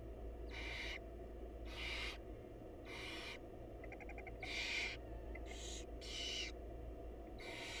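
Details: Barn owl chicks and their mother at a wild nest box during feeding; about nine breathy rasping hisses in quick succession, with a brief run of faint ticking clicks midway, over low hum.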